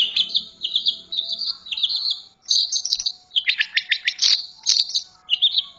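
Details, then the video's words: Long-tailed shrike (pentet) delivers a fast, varied chatter of scratchy and sharp whistled notes, with quick downslurred bursts in the middle, against a quiet background. "Suara burung pentet"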